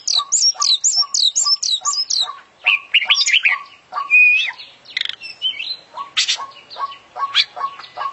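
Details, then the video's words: Kacer or oriental magpie-robin delivering full-isian, mimicry-filled song like international champions: a run of seven high looping whistled notes, then scratchy varied phrases and a thin whistle over a steady beat of short low notes. "Full Isian Juara Internasional Burung KACER Gacor"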